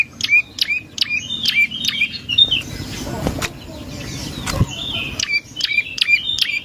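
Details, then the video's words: Prinia song used as a lure for other birds. Rapid bursts of sharp, high, down-sweeping notes with brief level tails open and close the recording. A stretch of broad noisy rustling sits in the middle. "Suara Burung Prenjak Lumut | Pancingan Prenjak Lumut Isian Sekali Denger Langsung Nyaut"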